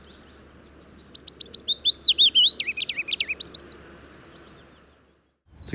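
Willow Warbler song: a sweet, liquid phrase of about sixteen quick notes over three seconds, drifting gently downward in pitch before trailing off.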